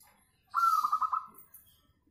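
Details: Local zebra dove with a very sweet voice, used as a lure to prompt singing: one quick phrase of rapid, rolling cooing notes lasting under a second, then quiet.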